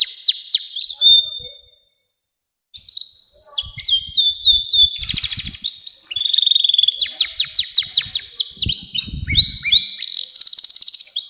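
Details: Canary in long unbroken song, offered to coax young canaries to sing: varied high whistles, rattling buzzy phrases and quick repeated trills, with a short pause and faint low knocks.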